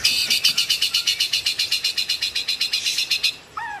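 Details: White-rumped shama (murai batu) delivering a fast, even trill of high notes, about four per second for over three seconds, followed by a short descending whistle.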